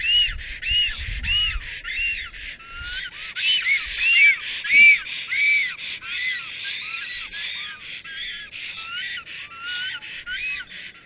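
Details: Black storks at their nest on 30 April 2022, midday, greeting while the male drives off an intruding female; long run of rasping, arched whistles about every half second, strongest midway, then softer and more ragged, with faint low thumps.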